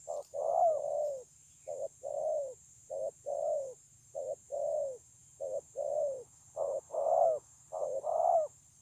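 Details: Spotted dove cooing on 9 June 2020: a long, steady sequence of short notes alternating with rolling, slightly falling coos, around a dozen phrases in nine seconds. A faint high hiss persists underneath.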